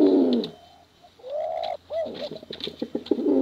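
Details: Male and female contest pigeons give a deep warbling coo, then a drawn-out rising hoot, then a quick series of pulsing coo notes.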